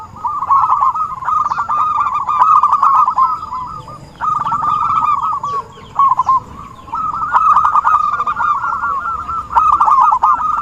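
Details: Zebra dove calling as a trapping lure: repeated long phrases of quick staccato coo trills at steady mid pitch, broken by brief pauses near 4 and 6 seconds, with faint chirps of other birds above.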